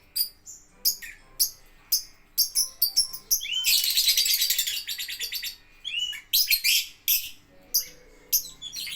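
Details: Lovebird in a play area giving repeated sharp, high chirps, then a dense rapid ticking chatter lasting about two seconds before returning to scattered squeaky notes.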